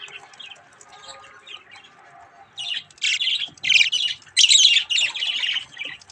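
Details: Young pet budgerigars playing with a mirror, chattering in bursts of scratchy, warbling chirps that start soft and grow loud and rapid, several short squawky phrases in quick succession indoors.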